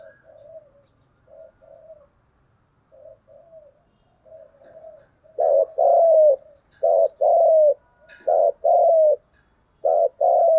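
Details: Spotted dove giving 'thúc gù' coos to challenge rival doves: quiet, short coos scattered over five seconds, then loud two-part phrases, each a brief note and a longer sliding coo, repeated roughly every one and a half seconds.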